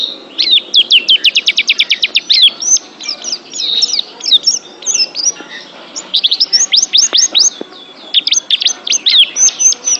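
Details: Oriental white-eye kept as a pet, in a training recording: a fast rattling run of repeated high notes, then varied twittering and bursts of rising whistles, sung almost without pause.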